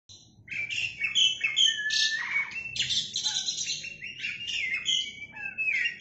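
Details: Oriental magpie-robin, a male singing loudly with tail spread, delivering a rich, varied stream of whistled phrases, trills and buzzy notes, mostly high-pitched, with rapid changes of phrase and almost no pauses.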